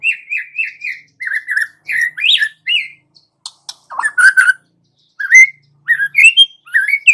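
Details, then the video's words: Lure song from a young wild-caught White-rumped shama: repeated slurred whistles in quick groups, a few sharp clicks, then rich looping phrases rising and falling in pitch. "Pancingan Murai Batu MUDA HUTAN dan PASTOL agar GACOR NGEPLONG"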